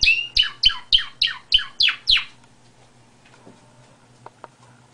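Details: Canary uttering seven descending, slightly buzzy notes evenly spaced over two seconds, then near silence with two faint ticks.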